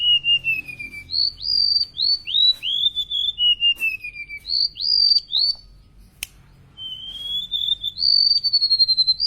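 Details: Golden-bellied gerygone from Indonesia singing a lively filler song: sweet, high whistled notes sliding downward, some short upward-flicked notes, in phrases with brief pauses, plus a single sharp click near the middle.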